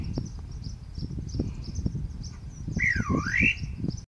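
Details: Great parrotbill calling at Tiger Hill in Senchal Wildlife Sanctuary, Darjeeling, India. After a quiet stretch, one loud swooping note dips down and rises again, over a steady high insect hum and low rumbling background.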